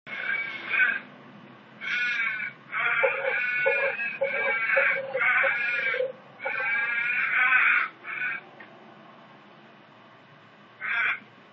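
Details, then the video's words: Crows attacking a kookaburra, recorded on a phone: harsh, nasal, drawn-out caws in a rough series, some bursts nearly a second long, several overlapping, separated by short pauses, with a faint low background hum. "crows attack kookaburra"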